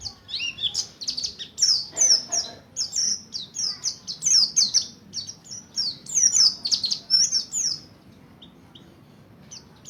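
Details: Mountain white-eye (Buxtoni) practising a rolling wild-style song meant to provoke other white-eyes: a fast, dense run of high, thin, down-slurred notes that chatter continuously for eight seconds and then stop abruptly.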